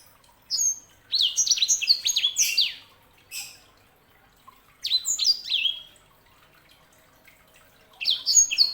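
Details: Sanger canary hybrid song in bursts: rapid, high, twittering phrases of sliding whistled notes, separated by pauses of a second or more, with a faint click in a gap.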